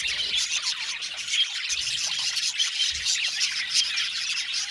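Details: Australian budgerigar colony in an aviary, many birds chirping and singing: unbroken high twittering and scratchy warbles layered on top of each other, evenly loud from start to finish.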